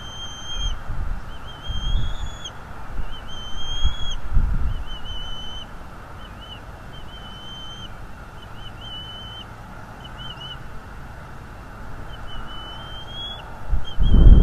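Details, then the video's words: Bald eagle father defending the nest against an intruder in North East Florida, from a livestream camera: rapid, repeated short whistled chips in quick chattering runs, with occasional low knocks and bumps. "Father Eagle attacks Intruder on the North East Florida Eagle Livestream"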